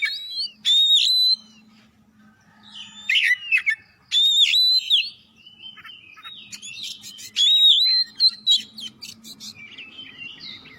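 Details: Oriental magpie-robin song used as a prompt for other magpie-robins: loud whistled phrases mixed with sharp clicks, delivered in spaced bursts over a faint low hum.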